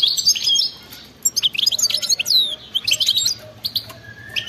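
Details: Wild-style goldfinch song with 'batbata' twitter: a bright high warble, then scattered sharp chips and downward-sliding whistles before a lively run of quick tinkling notes and a brief thin whistle.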